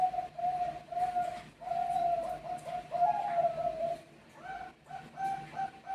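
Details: Zebra dove, a Bangkok-type perkutut, cooing while birds answer one another: mellow sustained coos in drawn-out phrases, then a shorter run of clipped, evenly spaced coo notes near the end.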